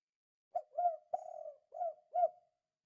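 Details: Spotted dove cooing in 'kuk 2' style as a lure for other doves: a single fairly quiet phrase of five mellow coos, a short opening note, longer wavering middle coos and a rounded final note, in a silent background.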